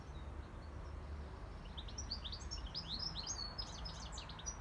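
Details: Wild, free-living European goldfinch out in nature, delivering a busy stream of high tinkling chirps and twittered notes that thicken toward the end, with a constant low background rumble underneath.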